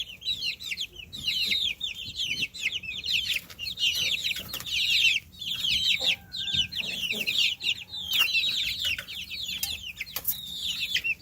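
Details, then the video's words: Chorus of little baby chicks peeping nonstop, many high, quick chirps overlapping in busy bursts, with occasional soft thumps and brief lower tones beneath the flock's calls. "Baby Chicks Chirping Sounds"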